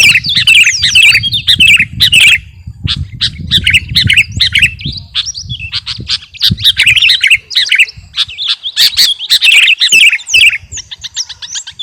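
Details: Sooty-headed bulbul known as kutilang garuda, a keen singer recorded to train captive birds: busy chattering chirps and sharp squawky notes in uneven bursts, over a low rumbling background at the start.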